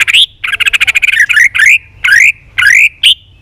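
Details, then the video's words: Competitive song of a white-rumped shama flicking its tail: a rapid buzzy rattle followed by strong upslurred whistles, each phrase sweeping upward and repeated about every half second. "chòe Lửa đập đuôi hót đấu liên tục nhiều giọng"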